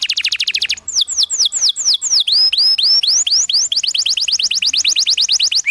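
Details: A canary's ngerol training song for young birds: steady rapid notes, then slower swooping down-slurred whistles, and finally a fast even roll of short falling notes.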